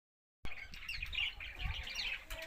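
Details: Budgerigar giving rapid, scratchy chirps and warbling twitters after a brief silence, with a low rumble of handling or background noise underneath.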